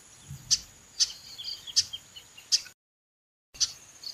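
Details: Sharp, bright chips from a calling female chestnut-capped blackbird, about one per second. Faint low rumbles and a continuous high whine sit in the background, and there is a brief gap of silence.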